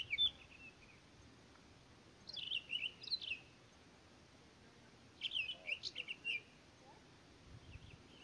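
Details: Townsend's solitaires recorded at Elena Gallegos giving short, fast warbled phrases of bright slurred whistles, a brief note, then two strophes around two and five seconds, each a string of quick rising-and-falling notes, with a soft hiss behind.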